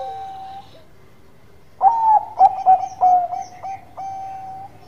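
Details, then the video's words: Zebra dove of the Bangkok type, kept for song: a steady hummed tone then a burst of rapid cooing notes, several short stuttered coos running into a long level trailing coo. "Perkutut Bangkok Gacor Manggung"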